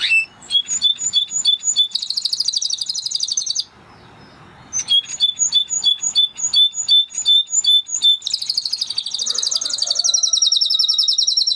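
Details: Singing Spanish Timbrado canary of the original breed, delivering rapid strings of sharp ticking notes, a pause, more clipped repeated notes, then a sustained high warbling trill near the end.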